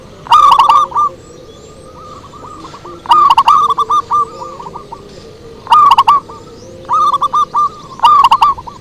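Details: Zebra dove song used as a lure. It gives five rapid phrases of staccato, rolling coos, each starting with a crisp note and trailing into short hooked notes. Softer, lower coos from another bird sound in the gaps.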